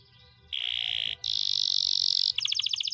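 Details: Pet canary delivering long-duration rolling song meant as a master recording for other birds: two sustained, piercing high buzzy tones, the second pitched higher, followed by a burst of rapid pulsed notes.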